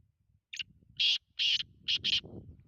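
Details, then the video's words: Black francolin calling: a short series of five loud, harsh, grating notes, the first brief and the later ones longer, spaced about half a second apart over quiet low background rumble. "Kala teetar ki awaz"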